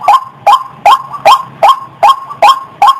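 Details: White-breasted waterhen giving its repeated call: short, hoarse, nasal notes with an upward kink, spaced evenly about every 0.4 seconds, eight notes in three seconds, with little else audible.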